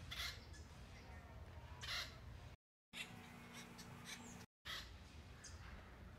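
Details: Two harsh, raucous nasal calls about two seconds apart from Acorn Woodpeckers, a social group caching acorns in a granary tree for winter in fall, with a man's voice talking quietly through the rest.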